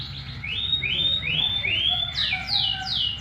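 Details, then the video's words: Canary lure song meant to make other canaries answer: a run of clear whistles, each rising then held high, repeated about every third of a second, then shifting into faster downward-sweeping whistled notes, over a faint low hum. "suara pancingan kenari pasti langsung nyaut"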